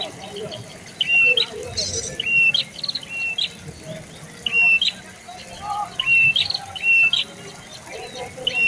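A prinia gives short, sharp, chirpy notes. They rise at the end, come in quick pairs and triplets about once a second, and sound over faint background noise.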